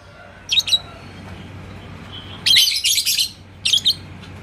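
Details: Yellow lovebird, called labet koneng, in Indonesia, roused by a rival's song. A brief double chirp is followed by a dense, scratchy run of high notes, then another short pair.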